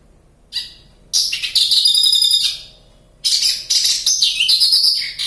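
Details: Javan bush lark singing actively in the wild near Kediri, Java: a short high note, then two long bursts of dense, buzzy, rapidly trilled high-pitched phrases that drop to lower slurred notes, with quiet pauses between.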